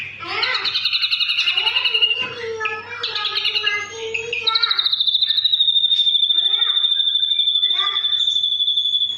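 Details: Ashy drongo delivering full tembakan song, rich stacked whistled phrases and chatters for four seconds, then a long, fast, buzzy trill held at one high pitch, punctuated by brief chirps, with a low background hum.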